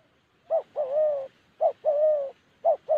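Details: Spotted dove in Vietnam's Gia Lai highlands uttering a short sharp coo followed by a longer, level, drawn-out coo, the pair repeated three times at a steady pace.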